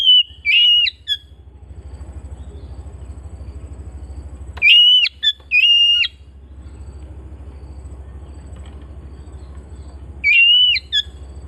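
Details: Home-kept Oriental magpie-robin with widely spaced whistled phrases, each a steady high tone ending in a downward flick. They come in groups of two or three, several seconds apart, over a persistent low droning hum.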